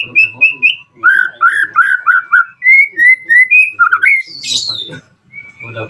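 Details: White-rumped shama song used as a lure to make other shamas answer and sing: runs of loud, clear whistled notes, some rising, others dropping in quick slurred pairs, ending with a harsh burst and a thin whistle.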